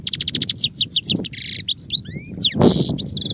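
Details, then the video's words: Song of the European goldfinch (Carduelis carduelis): quick liquid twitters, a harsh buzzy burst, clear rising whistled slurs and a further dense rasping passage, with faint low background rumble. "Chant d'oiseau - Chardonneret"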